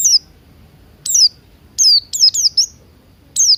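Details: Morning song of Buxton's white-eye, played to coax birds into singing: six high, slurred, downward-sweeping whistles, three given in a quick cluster near the middle, the rest spaced apart, with a clean, quiet background.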